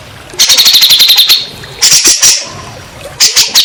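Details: Grey-cheeked bulbul song, played as a lure to prompt stressed or silent birds to sing. A quick run of about a dozen sharp, high chattering notes, then a harsh, noisy burst, a pause, and another rasping burst.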